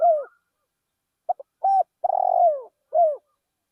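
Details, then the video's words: Spotted dove used as a decoy, cooing in a rice field: a falling coo, pause, two clipped notes, a short hoot, then a long vibrating rolled coo and a final soft descending coo. "นกเขาใหญ่เสียงเพราะๆ ต่อนกเขาใหญ่ ที่ทุ่งนา"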